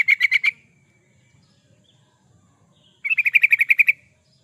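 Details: Yellow-vented bulbul in lively gacor song, used to lure birds or serve as a master recording: a brisk run of about five bubbling notes, a pause of over two seconds, then a longer chattering phrase of around ten quick notes.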